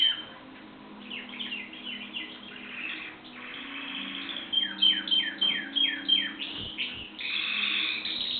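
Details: Canary singing a long, varied song of rapid repeated trills and chirps. Buzzy rolls alternate with quick downward-sweeping note series, and a steady bright tone runs through the middle section. A faint low hum sits underneath.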